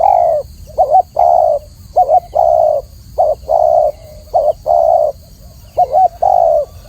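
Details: Clear-voiced spotted dove in a training recording, cooing steadily: a quick quavering note, then a long level coo. The phrase repeats about once a second, with quiet gaps between.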